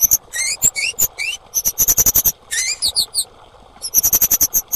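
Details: Female orange-headed thrush calling with upswept whistles, then a fast string of sharp, very high chips, more slurred notes and a final rapid run; therapy sound for coaxing mute or stressed birds into song.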